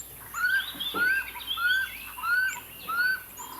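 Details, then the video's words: Nesting common scimitarbills in a braai boma at Hlane Royal Game Reserve, recorded at the first chick's fledging: five clear upslurred whistled notes at an even pace, with higher thin notes from other birds overlapping. "Common Scimitarbill fledging"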